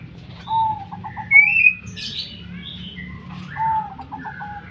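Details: Two rhythmic zebra dove coos, each a quick stutter of clipped notes closing on a sustained tone, about three seconds apart, with scattered chirps and whistles from other birds between them and low background noise.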